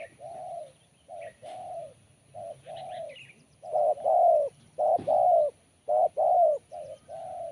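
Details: Spotted dove with a voice described as crisp and sharp, giving low mellow coos in short phrases of two to three notes. The coos grow louder towards the end, and faint small-bird chirps sound in the background.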